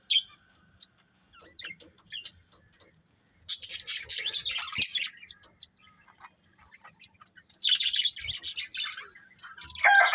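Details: Caged budgerigars, a breeding pair, chattering in a few dense bursts of scratchy chirps and squawks, with near-silence and faint clicks in between.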